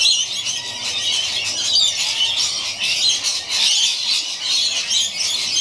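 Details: Rainbow lorikeets, two of them, playing on rope high in a gum tree, produce a steady wall of shrill squealing and screechy chatter with scarcely any gaps.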